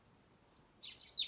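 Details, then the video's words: Garden birdsong in November from a tree in Blackrock, Dublin: a faint thin note, then two brief, high, scratchy chirping phrases close together. "November Birdsong Blackrock Dublin"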